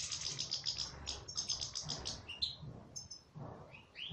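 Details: Twittering goldfinch song from an aviary: rapid high chips and short trills, then a few lower, slurred whistled notes near the end, with a soft low hum underneath.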